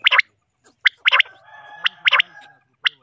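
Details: Three large common quails giving clipped, bright two- and three-note phrases at roughly one-second intervals over a faint steady hum.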